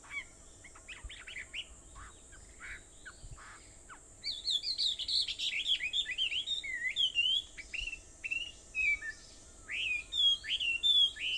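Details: Aobayama, Sendai, 4:30 am, 21 July 2014: a few distant chirps, then after about four seconds a lively burst of fast twittering and slurred whistled notes from several birds, over a continuous high-pitched drone.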